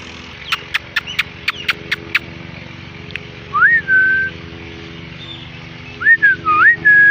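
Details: A parrot chirping: a run of quick sharp clicks, then pure whistles that rise, dip and hold steady, over a constant low droning hum.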